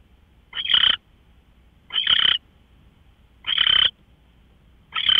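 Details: Owl recorded on March 24, 2013 at 5:27 in the morning, giving harsh, noisy screeches about a third of a second long, four bursts repeated roughly every one and a half seconds over faint low background hum.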